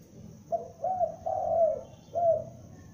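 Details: Young spotted dove kept as a lure bird, calling loudly: soft low coos in a run of three, the middle one longer and slightly falling, then a pause and a fourth coo, over a light background hum.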